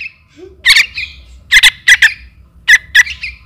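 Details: Young trukan calling for its mother, a lure recording: scratchy, squawking chirps in pairs and short runs, separated by gaps of about half a second, with a soft low rumble behind.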